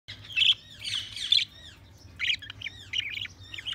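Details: Budgerigars chirping: bright, warbling high chirps in quick clusters, with short chattering bursts separated by brief pauses and a low steady hum underneath.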